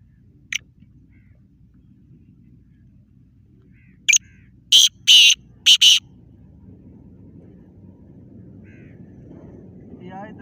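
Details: Eight-month-old black francolin giving a short burst of loud harsh grating notes, four rapid strokes after a couple of isolated clicks, amid quiet outdoor background noise.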